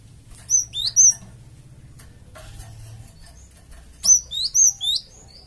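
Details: Java sparrow lure call meant to make a flock of the same birds answer at once: two quick bursts of three high, sharp chirps with rising and falling inflections, separated by a pause of about three seconds.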